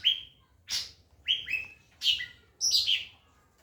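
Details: Masteran song of a white-rumped shama, used to train other birds: six loud phrases about half a second apart, clear whistles bending downward mixed with harsh bursts, ending in a slurred falling flourish.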